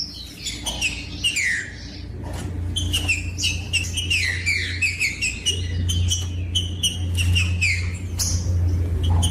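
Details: Green-winged saltator song played to stimulate other birds to sing: rich whistled phrases with falling slurred notes, repeated in bursts, over a steady low hum.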